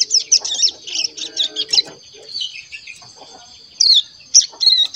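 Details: A caged young crescent-chested warbler, just over a month old, practising its song: a jumble of high squeaky twitters and rising whistled notes, then isolated sharp chirps after a quiet gap.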